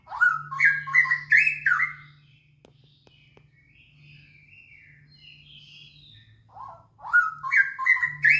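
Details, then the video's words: Straw-headed bulbul singing as a lure meant to make other bulbuls sing fast: loud, mellow warbled phrases rising stepwise, then a long gap with faint thin notes from another bird and a low hum, before the rich phrase returns. "PANCINGAN BURUNG CUCAK ROWO BIAR CEPAT GACOOORR DOR"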